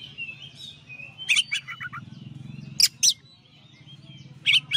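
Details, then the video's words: Champion white-rumped shama in a master song recording, giving bursts of rich whistles and harsh chattering notes every second or so over a background of other birds chirping and a steady low hum. "masteran suara kacer juara"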